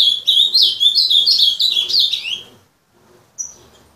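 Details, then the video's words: A kept azulão (ultramarine grosbeak) sings a fast, rich warbled phrase of rising and falling notes lasting about two and a half seconds, then falls quiet apart from one short high note. "Azulão TERRORISTA Destruindo"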